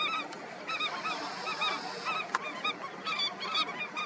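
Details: Colony of Indian skimmers calling together: a dense chorus of short, nasal, yelping notes that overlap continuously, with several birds calling at once and brief louder bursts throughout.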